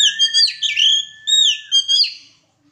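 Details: White-rumped shama during a mating pairing, singing loud, clear whistled phrases of swooping, slurred notes repeated in quick succession over a steady thin tone.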